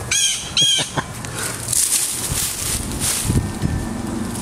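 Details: A parent Blue Jay, worried about a person touching its fledgling that has been on the ground for two days, gives two harsh, ringing, nasal concern calls about half a second apart, over rustling, breezy background noise.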